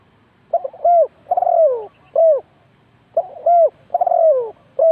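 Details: Decoy spotted dove at a bird trap in Ninh Thuận. Short stuttered notes lead into a long, falling, husky coo, then a separate arched coo. The phrase is repeated after a pause against a quiet background.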